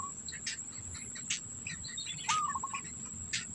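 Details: Black bittern keeping food in its mouth for its young. A faint low note opens the clip, and later one louder rising call breaks into a string of fast pulses. Scattered bird chirps and a persistent shrill insect tone continue.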